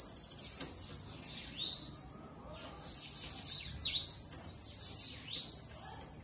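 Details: Bananaquit let loose outside its cage, giving high, thin, sibilant notes that sweep up and down in quick phrases, with short pauses between bursts and a faint hiss in the background.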